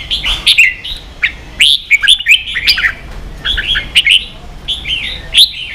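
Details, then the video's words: Ché-style song of a red-whiskered bulbul, played to teach young birds. Clear, loud whistles loop up and down in short rolling phrases, each about half a second long, repeated with brief gaps. "luyện chào mào ché.kích chào nào hót ché căng lửa"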